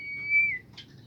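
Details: Bimoli bird, played so that other bimoli birds join in singing: a single steady, pure whistle held about half a second, then a brief falling slur, with a faint short note afterward over a quiet low hum.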